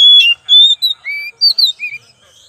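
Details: Lure song of an oriental magpie-robin: bright whistles open abruptly, a long even note follows, then a rising lower whistle, paired high sharp notes and a final burred low note, with nothing else audible.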